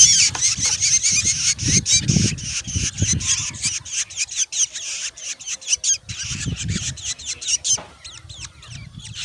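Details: Black Drongo chicks in a nest, growing and demanding food, give a fast stream of hoarse, high squeaky begging notes, loud and continuous for about eight seconds before tapering into sparser calls, over low rumbling noise.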